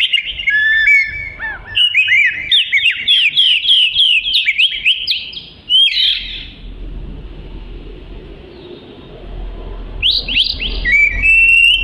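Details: Oriental magpie-robin (kacer) singing persistently, used as training material for other songbirds: fast varied chirps and sliding whistled notes, rapidly repeated, then a quiet pause before bright rising whistles resume.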